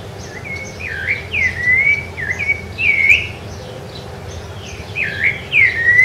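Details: Rufous-bellied thrush recorded on Ilha do Governador in January 2013, its strong song of rich, looping whistles coming in brief phrases separated by short pauses over quiet low background noise.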